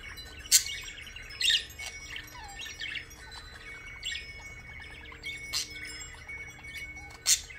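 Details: A pet blue parakeet chatters in a busy, high warble of chirps and trills, broken by four sharp clicks, while faint steady chime-like tones run underneath.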